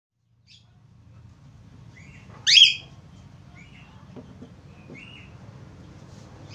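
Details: Australian finch, described as actively singing, giving one loud, sharp, high chirp sweeping downward midway, with a few faint soft notes before and after over a low steady hum.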